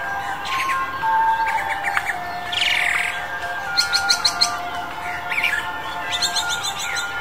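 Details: A male Chinese Blackbird in February 2021 sings varied phrases of quick, bright chirps and short trills. A steady low tone, possibly music, hums underneath.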